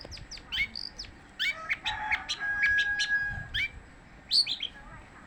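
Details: Long-tailed shrike in nonstop song, giving mixed chirps, a sustained whistled note and scratchy high phrases in uneven bursts against a rumbling background.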